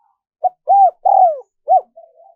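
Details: Single spotted dove phrase, used to draw in wild doves: a brief note, a rounded arched coo, a long falling coo and a short closing hoot, fading into soft low murmurs.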